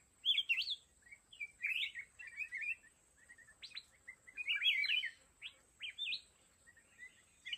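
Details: Red-whiskered bulbul used as a decoy in a fighting trap for wild mountain bulbuls: bright whistled, warbling phrases rising and falling, given in quick bursts with short pauses throughout, with a faint steady high hiss behind.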